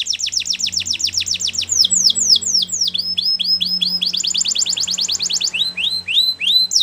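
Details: Canary training song for young birds: long runs of rapid downward-sweeping notes, about four per second, shifting between tours of different pitch and speed, with a faint low hum underneath.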